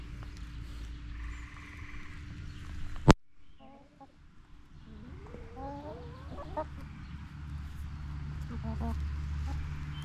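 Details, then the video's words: Backyard chickens clucking in a series of gliding upward notes and short pulsed clucks after a sharp bang, against a low humming background. "Backyard Chickens Clucking Noises!"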